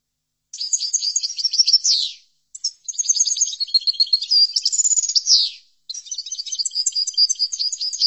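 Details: European goldfinch giving chordonier-style training song in three bursts of quick, high, twittering phrases. The bursts are separated by brief pauses, and several phrases close with a downward buzzy slur. Nothing else is heard.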